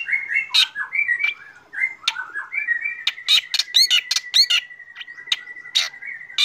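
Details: Morning song of a black drongo, a lively mix of short whistled phrases, a long level whistle and sharp harsh chattering notes with quick rapid trills.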